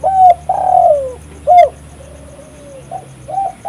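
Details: Vocal spotted dove coo, recorded as a lure for catching doves: a short note, a long falling purring coo, another short note, then a quiet drawn tone and clipped coos, with low background hum.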